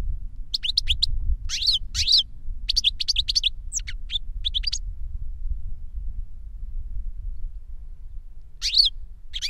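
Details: Goldfinch song from an older bird teaching a younger one, with clusters of sharp high chirps and twitters over the first five seconds, a pause, then a final burst, all over a steady low rumble.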